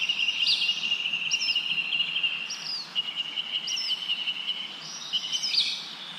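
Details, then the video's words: Bird chirping amid wind in the leaves: a steady high pulsing trill runs throughout, punctuated by clear down-slurred chirps about once a second and a louder chirp burst near the end. "Wind blows leaves, leaves bird chirping sound"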